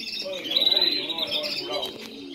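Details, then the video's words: Spanish Timbrado canaries singing, a short burst of rolling trills with a sustained whistled note in the middle, followed by softer warbled phrases. "Canarios cantando"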